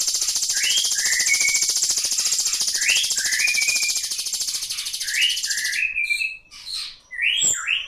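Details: Ashy drongo, locally called srigunting abu-abu, giving rising whistled, slurred notes in pairs about every one and a half seconds over a steady high hiss. The hiss stops near the end, leaving clearer short chirps.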